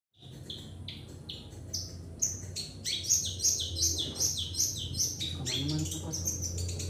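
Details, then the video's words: Long-tailed shrike singing vigorously, kept as a lure for training birds: a fast run of high whistled notes and short slurred phrases, repeated almost three times a second, over a steady low hum. "PENTET GACOR UNTUK PANCINGAN"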